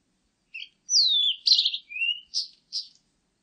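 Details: A Blue-and-white flycatcher, recorded in 2020, sings a varied phrase. A soft double note leads into a long descending slurred whistle and a buzzy burst, then a rising whistle and two short raspy notes. The background is quiet.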